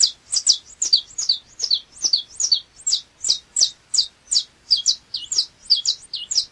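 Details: Saffron finch, called canário chapinha, singing a fast run of sharp, high chirps, each sliding downward, repeated about three times a second without pause over a quiet background.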